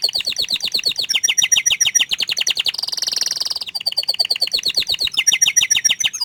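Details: Shy canary in full song: rapid chattering trills of repeated notes, a steady buzzy rolling section in the middle, then more quick rhythmic tours of clipped high notes.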